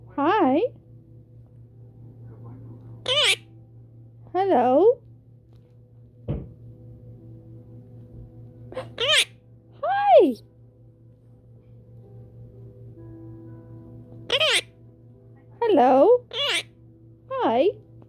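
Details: A pet male monk (quaker) parakeet chirps out short, high, human-like words, a bright mimicked "hi" and "hello".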